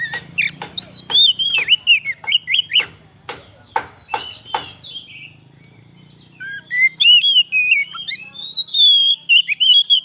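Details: White-rumped shama song used as a lure for wild shamas: loud clicking notes at first, then rich warbled whistles wavering up and down, a pause midway, then more fluid rising and falling phrases.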